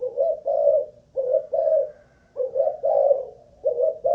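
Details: Malaysian-strain spotted dove, a caged decoy bird, tested for cooing endurance: deep, hoarse two-part coos, a short note then a longer one, repeated roughly every 1.2 seconds with brief gaps.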